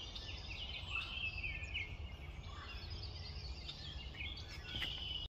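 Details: A song sparrow in spring at Wheatley Provincial Park sings a busy, varied run of bright notes and quick buzzy trills, high-pitched and tumbling, over a steady low rumble of wind or distant traffic.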